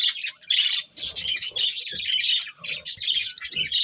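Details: Budgerigars give rapid squawky chirps and rasping warbles in quick bursts, several notes per second, with brief dips between phrases and faint low thumps.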